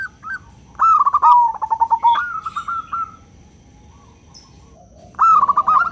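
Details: Local zebra dove in full song, loud 'crystal' voice used to set other doves calling: a quick rattle of short cooing notes that dips lower, a brief burst, silence, then another clipped run.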